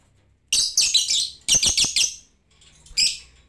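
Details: Lovebird ngetik, chattering with no prompting: two dense clusters of harsh, high, rapidly repeated chirps about a second apart, followed by a single short chirp.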